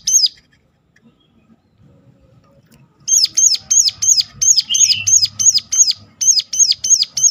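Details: A single high note, then silence, then a sustained rapid series of sharp, high, hooked notes from a Sunda warbler, a call used to stir other birds into singing, with a brief buzzy note mixed in.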